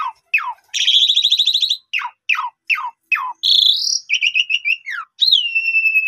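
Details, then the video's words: Asian pied starling singing as a lure to build another starling's confidence and bring out its repertoire. Quick falling whistles, a harsh rattling burst, rising slurs and a long steady whistle that drops slightly at the end. "Pancingan Jalak suren Efektif Untuk Menaikan Mental Jalak Suren Agar Bongkar Isian"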